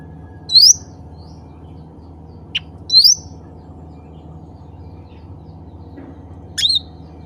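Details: A cucak ranting bulbul calls to others of its species: three loud upward-sweeping chirps and a soft click between them, set against a low, even background hum.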